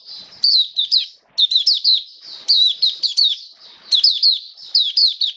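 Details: High, rapid twittering from an Oriental white-eye kept as a hobby bird in wet rainy weather, 29 September 2022; continuous clusters of slurred chirps in groups of three or four with short gaps.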